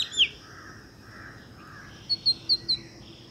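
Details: A female black drongo visiting a birdbath on a wall near trees by a home gives a sharp, high, downslurred note, then a quick run of four clipped, metallic notes near the end, evenly spaced about a fifth of a second apart.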